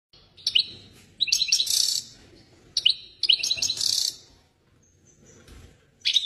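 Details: Excited European goldfinch singing: bursts of bright twittering and buzzy trills high in pitch, in phrases about a second long separated by short pauses, with a thin sustained whistle near the end.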